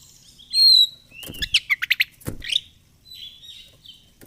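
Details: Oriental magpie-robin in vigorous ngobra fighter song: a loud pure whistle, a slurred glide, then a rapid string of five or six staccato notes and softer warbled trailing phrases.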